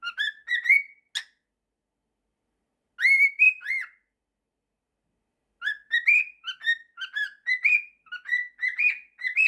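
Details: Pet cockatiel, a male, whistles his mashup of 'September' and 'If you're happy and you know it': bursts of bright whistled notes that slide upward, separated by silent gaps of a few seconds, ending in a longer string of quick whistled phrases.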